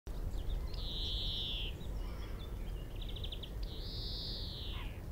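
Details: Male European greenfinch singing in a tree at Minsmere, about 25 m away, captured with a mobile phone, telescope and shotgun mic: long, drawn-out buzzy wheezes with a short rapid trill between them, over steady low wind rumble.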